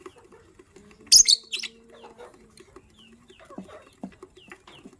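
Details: A lovebird among gray and yellow-green birds, the gray ready to lay eggs, gives one loud scratchy double chirp in the morning, followed by faint thin calls and low scraping sounds.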